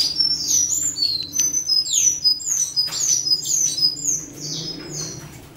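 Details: Territory-defending song of a western citril: continuous high, sweet twitters with sliding whistled notes and sharp ticks, delivered in a lively unbroken stream that fades slightly at the end.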